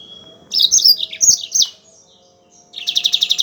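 A Yellow-fronted Canary sings a quick, high jumble of sweet warbled notes, pauses, then breaks into a fast, bright rattling trill of repeated chips.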